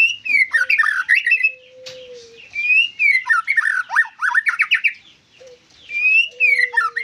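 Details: White-rumped shama in lively song: loud descending whistled phrases packed with rapid chattering notes, broken by a long low steady whistle, then the pattern repeats.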